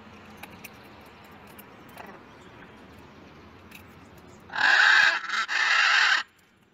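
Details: Wild blue-and-gold macaws, a group visiting to eat sunflower seeds for breakfast: after a quiet, faintly rustling stretch, a loud harsh raucous squawk bursts out, breaks briefly, then continues as a second grating screech before stopping.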